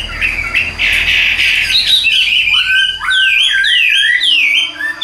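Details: Chinese hwamei in a cage, tame and singing while carried by hand; a buzzy warble gives way to clear, repeated downward-swooping whistles.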